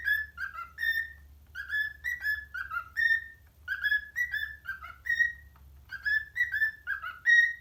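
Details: Pet parrot whistling a tune to other parrots: clear whistled notes in short falling and rising phrases, repeated in bursts with brief pauses, high overtones above, over a faint low hum.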